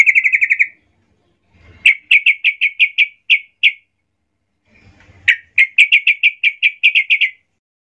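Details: Yellow-vented bulbul singing aggressively, as if seeking a rival: quick bright chirp runs, then louder separated notes in two longer phrases of about eight pulses each, with soft low thumps before each phrase.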